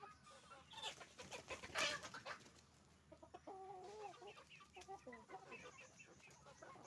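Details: Chicken farm with roosters and hens calling, a loud burst of clatter and squawks early on, then a run of stuttering, repeated harmonic clucks from several birds.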